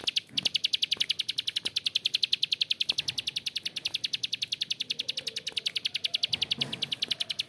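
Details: Bar-winged prinia, locally prenjak klik, in a long rough 'ngebren' rattle: sharp, high clicks delivered fast and evenly across the whole stretch, with faint background knocks.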